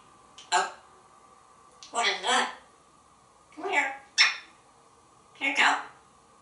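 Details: Indoor African grey parrot, a pet since hatching in 1997 in Texas, producing five rapid speech-like utterances roughly every second and a half, breathy and raspy, with a steady electrical hum in the room.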